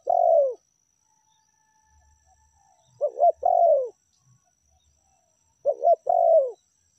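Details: Spotted dove (tekukur) lure recording with meratus and melambung calls: the tail of a long coo, then two complete phrases of double short coos leading into an extended falling coo, about three seconds apart; a faint low rumble between.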